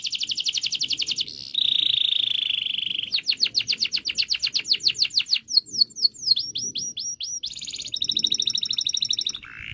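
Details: Canary singing long rolls, offered as a lure for silent canaries: a fast trill, a low buzzy stretch, a long series of sweeping notes, chirps, and another buzzy roll.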